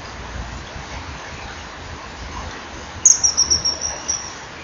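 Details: Male common kingfisher arriving at the rear perch near its nest at a breeding-wall camera, 21 January 2012, 10:16, calling: a shrill, high whistled burst of about seven rapid piercing notes lasting one second after quiet background hiss.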